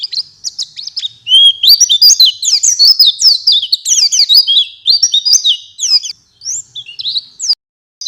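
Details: Caged-bird training lure of Oriental white-eye song: a continuous, high, fast warble of sweeping chirps and trills running for several seconds, with brief pauses near the end.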